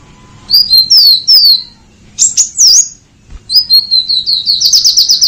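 Purple-throated sunbird: thin, high slurred whistles and sharp chips, ending in a fast run of about eight repeated piping notes.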